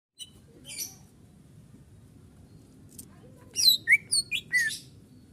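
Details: Greater green leafbird song recorded as a masteran training track for cage birds, full isian style: a soft high chirp early on, then a quick burst of varied sharp whistled and slurred notes near the end over a steady low hum.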